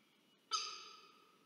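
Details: Wild peregrine falcon at a nest-camera research site of Charles Sturt University, Orange, New South Wales, Australia, 27 August 2023, during a food delivery while an egg is incubated: one sudden harsh, tonal call with strong overtones, fading over a second.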